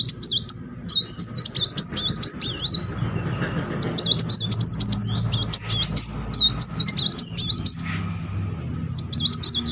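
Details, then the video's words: Sunbird singing nonstop as a lure to provoke quiet birds into song: long runs of rapid, zigzagging, needle-thin high notes in repeated bursts, with a short gap between phrases and a faint low hum beneath. "Kolibri Muncang gacor ngeroll || pancingan terapi memancing emosi Muncang macet."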